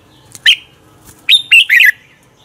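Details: Red-whiskered bulbul delivering competitive morning song to rouse other birds: one bright whistled note, a brief pause, then a quick cluster of three rich, warbling slurred notes.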